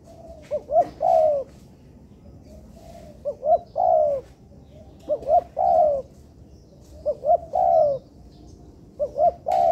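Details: Tekukur, the spotted dove, recorded as teaching material for training birds in a man-made yard. Four evenly spaced phrases are heard, each made of two short clipped notes leading into a drawn-out, gently descending coo.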